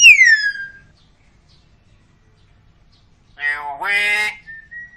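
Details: Hill myna with a clear voice: one sharp whistle sliding downward, a pause, then a harsh, nasal, buzzy call that dips and rises, ending in a short level whistle.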